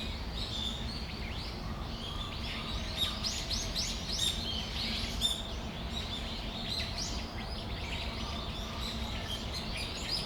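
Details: Brown-eared bulbuls on a December afternoon in Tamagawadai Park: many overlapping short, high, arched chirps and squeals from several birds at once, forming a busy chorus over a steady low hum.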